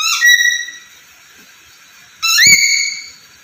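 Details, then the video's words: A talking pet black-capped lory gives two clear, rich whistled notes, each sliding up then holding steady, about two seconds apart, with a brief knock under the second. "Suara Burung Nuri Gacor Dan Pintar Ngomong"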